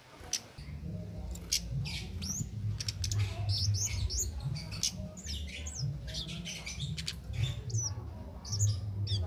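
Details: Cit keres, a songbird recorded as a training master, chattering in a dense run of sharp, high upslurred and downslurred chirps over a steady low mechanical hum.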